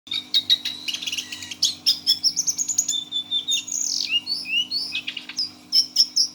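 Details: Caged six-month-old lesser shortwing singing in the trance-like 'teler' style: fast, high, varied run of sharp chirps, clicks and whistled slurs, some rising and falling, with a steady low hum behind.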